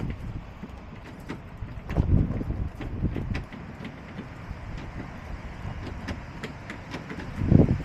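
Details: Gusty wind buffets the microphone with low rumbles and a few dull knocks, and no animal voice stands out.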